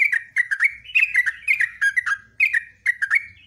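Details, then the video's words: Sooty-headed bulbul singing loud, bubbly, liquid phrases in quick bursts about every half second, long rolling song, with a faint low rumble behind. "JOGJOG NGEROPEL NGECRUK NEMBAK"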